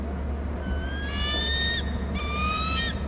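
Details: A Hornby Island bald eagle, heard on the nest and territory camera as the birds call between nest and territory: two drawn-out, high whistled notes that rise gently, with steady low hum underneath.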